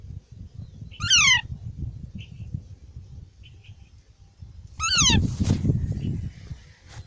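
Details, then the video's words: Two harsh, drawn-out descending squawks from active Indian ringneck (rose-ringed parakeet) chicks in a park, about four seconds apart, over a steady low rumble of background noise. "Indian ringneck chicks natural sound"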